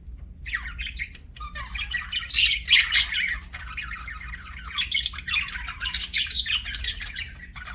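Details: Budgerigars chirping as pets, a busy run of scratchy warbles, squeaks and sharp chirps, rising to louder bursts near the middle and again toward the end, with a faint low hum beneath.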